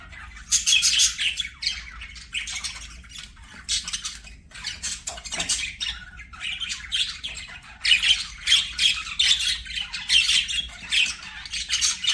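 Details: Budgies singing while they play: bursts of fast scratchy warbling and squawks, louder bouts near the start and again toward the end, broken by short quieter gaps.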